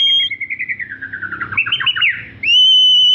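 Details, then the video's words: White-rumped shama, F3 bird singing actively, Lampung, Indonesia: a rapid rolling trill of whistled notes that descends then climbs in pitch, bracketed by a loud steady pure tone at start and end. "BURUNG MURAI BATU SERI F3 GACOR"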